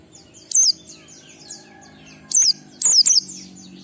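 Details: Oriental white-eye with ngalas song, 12345-beat pattern, meant to trigger singing in other white-eyes. A lone shrill down-slurred chirp, then a cluster of three quick high notes, over soft twittering.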